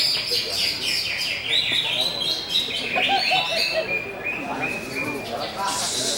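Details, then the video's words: Greater green leafbird singing in the busser style: a dense, fast stream of varied high chirps, slurred whistles and short trills, shifting in pitch, with a brighter burst of high notes at the end and faint background noise. "CUCAK HIJAU BUSSER"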